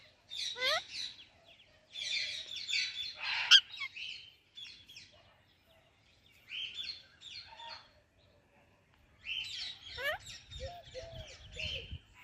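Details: Indian ringneck parakeet chirping with an Alexandrine parakeet in a home setting: chattering bursts of high, raspy chirps with a few sliding whistled squeaks, pausing briefly before resuming, faint background noise.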